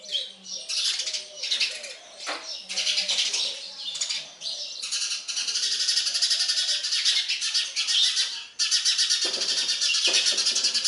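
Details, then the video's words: Sparrow chicks being fed by a parent: rapid harsh, noisy chirps at first, then a dense continuous buzzy begging chorus running for several seconds with a brief break near the end. "Sparrow bird feeding food to baby birds"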